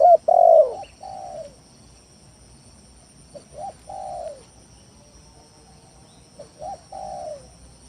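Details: Spotted dove lure song to make rivals call, with one loud opening coo followed by softer, more distant cooing phrases and long quiet gaps.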